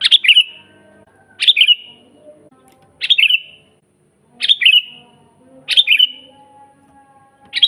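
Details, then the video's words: Energetic sooty-headed bulbul singing, recorded as training material for caged birds: short chirpy phrases with a high sharp start and falling fluttering tail, repeated roughly every one and a half seconds over a faint low murmur. "suara burung kutilang GACOR asli paling banyak dicari buat masteran"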